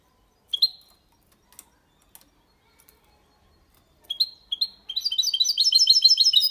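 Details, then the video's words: Mixto, a hybrid of goldfinch and canary, sings faultlessly in the Málaga copy style to stimulate hens and teach young birds. An isolated chirp and a quiet gap come first, then two chirps and rapid twittering. "Mixto de Jilguero Cantando Limpio sin errores (copia malaga) Hybrid de Chardonneret chantant propre"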